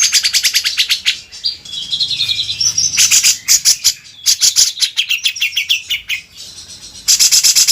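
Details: Grey-cheeked Bulbul tutor song for training cage birds: rapid runs of sharp, high repeated notes, about eight a second, broken by a smoother whistled phrase, then more staccato chattering bursts.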